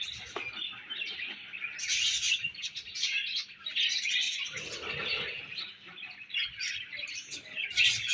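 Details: Budgerigars feeding and exchanging food, giving continuous chattering chirps; high buzzy warbles and clicks run almost without pause, with a slightly lower murmuring patch midway.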